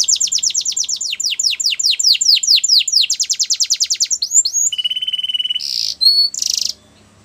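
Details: Russian canary in flute-style singing: loud rapid series of descending whistled sweeps about nine per second, then a faster trill, a steady whistled note and short buzzy bursts at the end.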